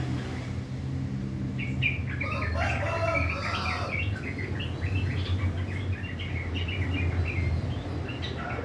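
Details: Morning song of a kept sooty-headed bulbul in rough 'ngriwik' style: a dense, tumbling chatter of short husky notes that builds after a second and continues in scattered clusters, with a steady low rumbling hum behind.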